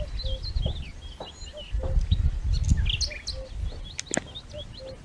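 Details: Cuckoo in Dersim, locally pepuk, calling four times in soft two-note phrases, against low rumbling background noise and scattered thin chirps from other birds.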